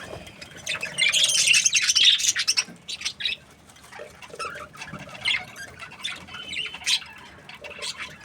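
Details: Budgerigars give a loud bout of squeaky chatter during the first three seconds, then quieter scattered chirps and single high notes.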